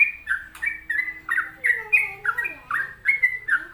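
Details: A sooty-headed bulbul in 'gacor' song delivers choppy, fluty whistled phrases at a brisk pace, some notes rising then falling, with a faint lower tonal whistle running underneath partway through.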